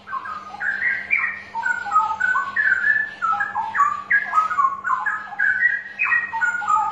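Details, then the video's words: Straw-headed bulbul singing, a recording meant to coax reluctant birds into song: a continuous stream of loud, mellow, bubbling whistled notes jumping up and down in quick, gurgling phrases, over a faint low hum. "Suara Pancingan Burung Cucak Rowo Malas Bunyi"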